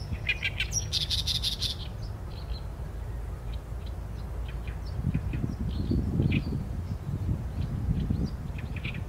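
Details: Oriental reed warbler song, captured on a Sony A7M3: a loud burst of rasping, croaky notes in the first two seconds, then faint scattered chirps over a constant deep background rumble.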